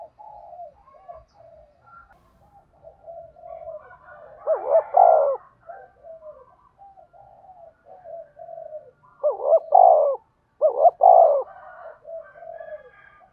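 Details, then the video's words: Spotted dove decoy calling to lure wild doves for birdlime trapping: soft low coos, then loud double-noted phrases with a wavering first note and a longer falling coo, repeated several times over thirteen seconds. "tiếng cu gáy mồi chuẩn gáy gọi và THÚC dùng kích bổi hiệu quả nhất"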